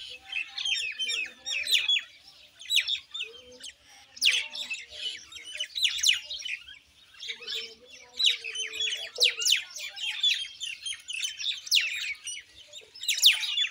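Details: Noisy Common Indian myna chatter in repeated bursts of sharp, sweeping chirps and squeaks, separated by short quieter gaps, with a faint low drawn-out note near the middle.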